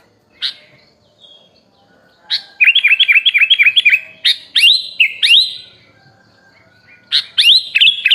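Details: Training song of a sooty-headed bulbul, rich in fill-in phrases: a lone sharp note, then a rapid string of about seven bouncy whistled notes, a few louder rising slurs, a pause, and another whistled burst at the end.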